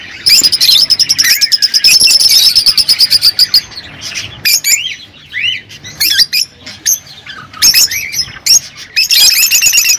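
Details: Rosy-faced and Fischer's lovebirds chirping to encourage mating. It opens with a long rapid run of sharp, evenly pulsed twittering notes, then breaks into separate squeaky upslurred chirps and squawks, ending in another fast pulsed burst.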